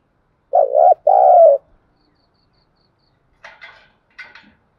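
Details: Spotted dove cooing as a lure for wild doves. Two rich, low coos in quick succession, then silence and a few faint, scratchy chirps near the end.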